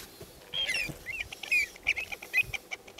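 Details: Pied avocets (Recurvirostra avosetta) chasing a juvenile avocet from their territory give sharp, fluty 'kluut' notes in quick, uneven bursts, roughly one every half second, over faint clicks and rustling.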